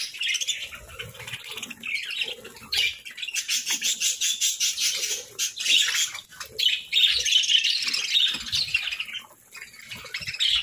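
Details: Morning feeding of pet parakeets: steady chirping interspersed with rapid rhythmic wing flapping, the chattering swelling strongly in the second half.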